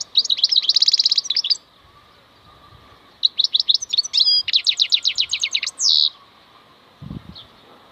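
A European goldfinch sings two bursts of bright, rapid, tinkling twitters mixed with buzzy trills, followed by a soft low thump near the end.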